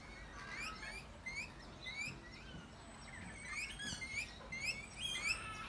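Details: Rainbow lorikeets in Australia feeding together in a noisy group, giving rapid repeated short rising chirps and whistles, overlapping calls roughly every half second from several birds.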